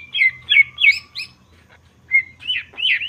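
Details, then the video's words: Greater green leafbird singing hard as a provocation meant to rouse other leafbirds: bright chirps bending near the upper-middle range, four quick notes in the first second, a pause, then rising and falling warbled whistles. "Cucak ijo gacor jamtrok Nembak bongkar isian. Pancingan emosi cucak ijo dijamin emosi"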